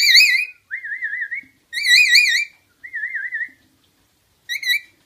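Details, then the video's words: Caged pet rainbow lorikeet copying a human-whistled tune as a game: reedy, vibrato-laden whistles trade back and forth with a person's clean wavy whistle in short alternating phrases indoors. "Playing whistle game with LipLip the rainbow lorikeet"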